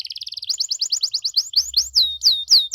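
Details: Canary singing a luxurious 'cengkok mewah' style to draw responses from other canaries: a fast high trill slowing into spaced rising notes, ending in loud downslurred whistles.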